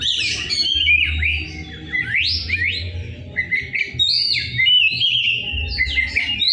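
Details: Rough-voiced Oriental magpie-robin in full song, with loud rising whistled slurs, sweeping notes and scratchy bursts in quick succession. A faint low hum sits underneath.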